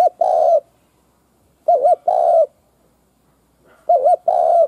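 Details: Spotted dove used as a decoy to lure other doves gives three low cooing phrases, each a quavering doubled note and then a fuller sustained coo, spaced over a second apart.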